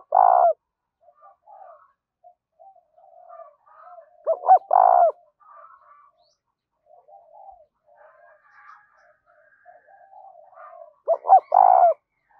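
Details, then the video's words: Spotted dove cooing to lure birds across farmland: three phrases, each two clipped upswept notes then a longer coo, spaced several seconds apart, with quiet chatter of low murmurs in the gaps. "tiếng cu gáy kích bổi vang cả cánh đồng"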